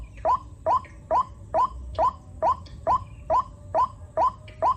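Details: White-breasted waterhen in the rainy season among plentiful chicks: eleven sharp upslurred notes repeated regularly, roughly two per second, with faint fainter calls behind and low background noise.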